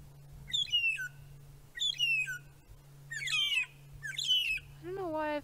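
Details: Three magpie shrikes (Urolestes melanoleucus) in a group at sunset on 10 June 2017, Djuma Game Reserve, give five sad, cry-like whistled calls in quick succession, each sliding down from high to lower pitch, over a steady low hum.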